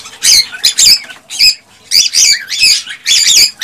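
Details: ['Excited male cockatiel song, meant to stimulate a female to mate and breed: harsh, buzzy squawked phrases with bright overtones, in five loud bursts separated by short pauses.']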